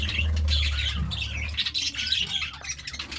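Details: Morning budgerigar chirping: scattered squeaky chirps and short warbles over a strong low hum that is loudest in the first second.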